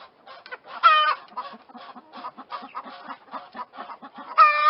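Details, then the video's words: Chickens clucking: a steady run of short, low clucks broken by two loud, drawn-out harmonic squawks, one near the start and one at the end. "chickens clucking sounds of chicken"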